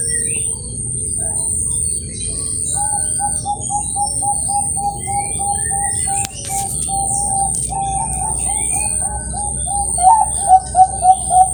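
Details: Bangkok-strain zebra dove of competition quality at a bird farm in Kroya, Cilacap, Central Java, sings a fast run of short, even, mid-pitched cooing notes, roughly three per second, over steady background hum and other birds.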